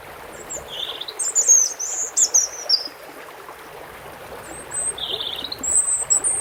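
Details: Running water with a European robin singing short, high, sweet phrases: thin whistles and rippling twitters in two bursts separated by a quieter pause.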